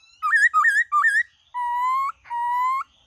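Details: White-cheeked laughingthrush singing a wild-style song for training young kept birds: three loud looping whistled phrases in quick succession, followed by two long, steady, slightly rising pure whistles, each about half a second long.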